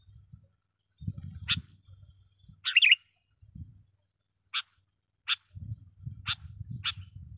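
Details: Sooty-headed bulbul lure call: a chirp, then a rich bubbling phrase, followed by evenly spaced single chirps, with low rumbling noise in the background.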